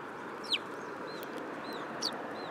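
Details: At a Tenmangu shrine on 8 July 2022, sparrows perch on an outstretched hand; two sharp, downward-sweeping chirps about one and a half seconds apart, with fainter soft arched notes between them and a constant murmur behind.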